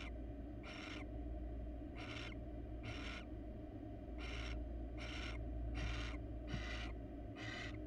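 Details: Harsh rasping hisses repeat about once a second, eight in all, from a wild barn owl pair at a nest box. The male has seized a rat and holds back from giving it to the female. A constant low background hum runs throughout.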